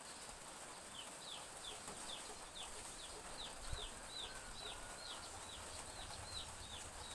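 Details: Village backyard on a morning of soft drizzle, chicks keeping up a busy, uneven stream of high, falling peeps over a constant rain hiss and a faint low thud.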